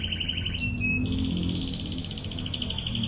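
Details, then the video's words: Canary in 'tembakan ngebren' master song: a mid trill, quick clipped high notes stepping upward, then a sustained very high, fast pulsing trill with layered overtones, against faint low hum. "MASTERAN BURUNG KENARI//TEMBAKAN NGEBREN"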